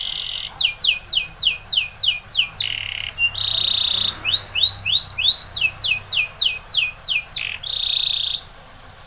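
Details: Timbrado canary training song, a powerful delivery: bursts of rapid descending whistled notes alternate with short level metallic trills and a brief nasal tone, repeated in quick phrases.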